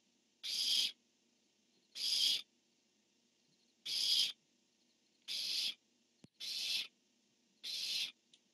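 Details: Barn owl pair, male calling and female answering, dated 10-1-15: six rasping screeches, the first three louder and more widely spaced, the later ones slightly softer and closer together, with one sharp click.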